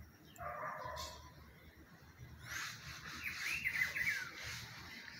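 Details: Rufous-browed peppershrike in spring giving one short warbled, whistled phrase of quick rising and falling notes after a stretch of low background rumble and hiss.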